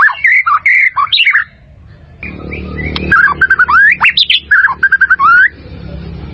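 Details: Caged white-rumped shama song meant for training birds: clear fluty whistles and rising slurred notes in quick varied phrases, with a short pause of low noise midway.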